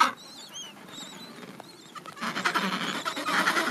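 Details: End-of-summer Adélie penguin colony, young birds moulting their chick down before first swim: thin, wavering whistles over a quiet background at first, then harsh pulsed braying from many birds rising up and filling the second half.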